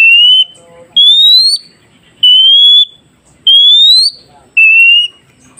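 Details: Oriental magpie-robin song for training newly caught wild birds to answer: five piercing, pure whistles, some sliding upward and some flat, repeated about every 1.2 seconds, with faint lower sweeping notes between them.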